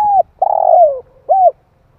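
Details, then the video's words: Spotted dove lure call for stimulating decoy birds, heard as a low coo, a long throbbing coo that glides downward, and a final short arched coo, clean and close. "Chim cu gáy gọi kích mồi dợt bổi hiệu quả"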